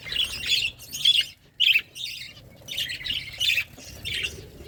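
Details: Feeding flock of budgerigars making harsh, squawky chirps in irregular bursts, roughly two per second, with short silences between.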